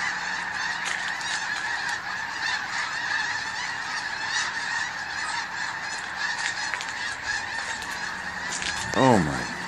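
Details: Snow geese in large numbers at a hunting spot, a dense unbroken chorus of overlapping nasal honks from many birds, with one louder low swooping sound near the end.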